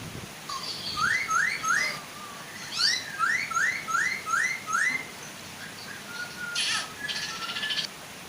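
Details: Chinese hwamei, female and male, singing to draw other hwamei into joining in; a run of rising whistled slurs repeats about twice a second in two bursts, ending with flat whistles and harsh chatter over a steady soft waterfall rush.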